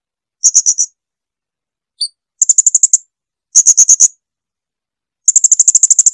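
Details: Blue-crowned hanging parrot giving clear song for training cage birds: shrill, high chips in short bursts of three to ten, separated by silent gaps, with one soft two-note call between them.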